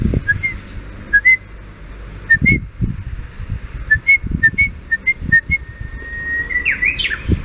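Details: Japanese bush warbler in reply: a string of short clear whistled notes spaced under a second apart, then a long held whistle closing with a loud, fluttering ascending and descending flourish; low thumps throughout.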